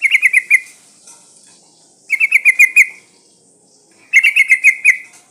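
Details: Female sooty-headed bulbul in breeding condition calling males: three bursts of rapid, bubbly chattering notes, each under a second, repeated about every two seconds against a quiet background.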